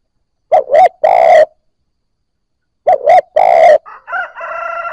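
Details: Spotted dove cooing to stimulate newly caught birds into cooing. Two phrases about 2.4 seconds apart, each with two short low coos and then a longer rolling coo. A harsher, crowing-like harmonic sound follows at the end.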